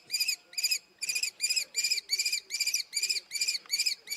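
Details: Common kestrel with a long, evenly paced run of shrill, slightly descending calls, roughly ten notes in four seconds, loud and clear against a quiet background.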